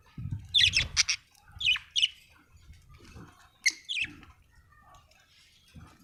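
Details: Budgie chirping, the bird described as Australian: a few sharp, scratchy chirps and short warbled phrases in uneven bursts separated by quiet gaps, over faint low background rumble.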